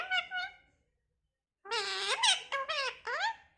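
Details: Talking parrot: two short harmonic squeaks, a pause, then a run of four loud, slurred speech-like syllables with rising and bending tones, heard indoors in a small room.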